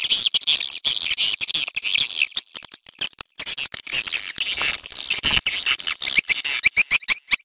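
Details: Swiftlet mating call made of continuous shrill twittering and clicking chirps, packed tightly together in fast irregular bursts.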